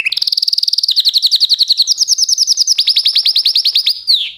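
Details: Canary song made of rapid repeated syllables, a fast buzzy trill that shifts into slower rising-falling whistled notes, each section of repeats changing pitch, ending with a brief downslurred note.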